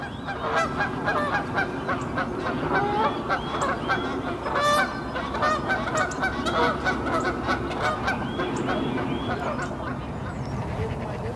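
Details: Egyptian geese, free-living in Germany, several birds calling together in a dense chorus of harsh honks and hoarse, rasping notes, steady throughout over a low background rumble.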